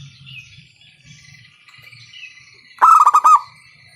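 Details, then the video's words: Loud-voiced local zebra dove calling as a lure to set other doves singing. Faint thin whistles are heard at first, then one quick burst of about six staccato, rolling coos near the end. "PANCINGAN PERKUTUT LOKAL SUARA KERAS, bikin pada manggung."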